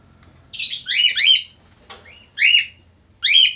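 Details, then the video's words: Male budgerigar singing actively: a burst of raspy, falling chirps, a brief pause, then two more separate sharp, descending squawks. "falk australi gacor"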